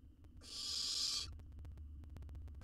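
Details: Baby owl, wild, in a monitored nest box in Israel as it devours a jird whole, lets out a single loud, steady hiss of nearly a second, followed by faint ticking sounds.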